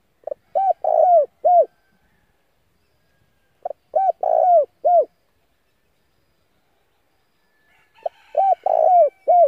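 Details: Spotted dove used as a decoy, calling to lure and excite wild doves: a short phrase of deep, hollow coos, a brief note, then a longer rolling coo and a final coo, repeated three times with pauses.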